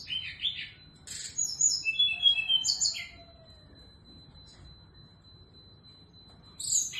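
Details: Female SRDC in full morning song, delivering a rapid phrase of buzzy notes and high level whistles, then falling silent before starting again.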